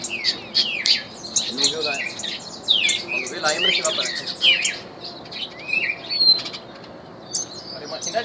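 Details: Trained Reinamora singing: a lively run of sharp chirps, slurred whistles and quick trills, some rising and some falling, in uneven bursts of notes. Soft wing flutters and faint talk sit underneath.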